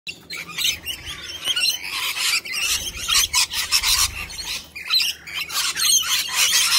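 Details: Wild Australian sulphur-crested cockatoos, friendly birds coming for food and attention; harsh, broadband screeching squawks in bursts, several overlapping, with a faint low hum beneath.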